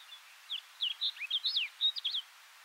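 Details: Wild Snow Bunting filmed in June 2015 at Kiritappu, Hokkaido, Japan, singing a short rapid phrase of clear whistled and warbled notes, some sweeping down, others rising, about ten notes in under two seconds, with faint background hiss.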